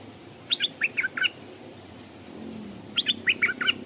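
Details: Decoy Stripe-throated bulbul caged beside a stream, drawing wild birds that would not come down; a bubbly phrase of five or six chirped notes given twice, about two and a half seconds apart.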